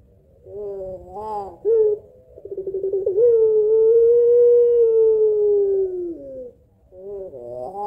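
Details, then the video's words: Lure recording of a puter pelung Barbary dove, long two-note kuwok: a wavering note, a clipped call, a fast rolling stutter, then a level hollow tone held over three seconds that slides lower before fading. "PANCINGAN TERBARU PUTER PELUNG GACOR SUARA PANJANG KUWOK 2 NOT"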